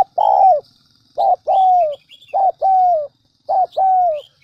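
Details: Spotted dove used as a decoy bird in the Central Highlands of Vietnam: a long coo, then three phrases of a brief note and a drawn-out falling coo roughly every ninety seconds' fraction, with faint twittering above.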